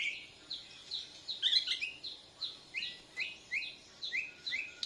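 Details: Borneo white-rumped shama learning its song while answering a lure: a brief rich phrase, then a repeated rising whistled note about twice a second, over a light background hiss.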